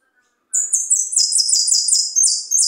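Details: Goldfinch from Pipinas singing: a rapid, high-pitched twittering run of thin chirps and trills, pouring out continuously for about two seconds after a brief silence.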